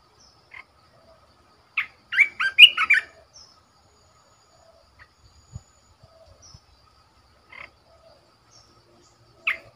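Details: Caged red-whiskered bulbul used as a decoy, uttering a short, tumbling phrase of lively slurred whistles, plus scattered single chirps before and after amid long silences.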